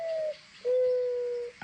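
A mourning dove gives a soft, hollow coo: a brief note, then a long, steady, slightly lower note held almost a second, ending in a short thump.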